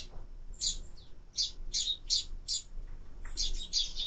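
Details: Sparrow calls at a bird feeder on a bird camera: sharp, high chirps in separate bursts roughly every half second, a short pause, then a denser cluster of chirps at the end.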